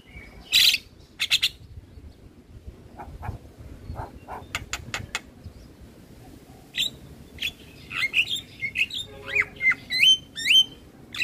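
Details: Javan myna training recording: scattered sharp clicks and ticks at first, then a lively stretch of whistled, wavering notes and squeaks toward the end.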